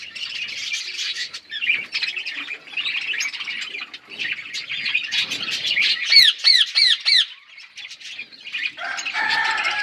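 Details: Flock of parrots feeding, filling the air with continuous high twittering chatter; midway a run of five sharp, downward-curving squawks stands out, followed by quieter chirping and a lower, rougher call at the close.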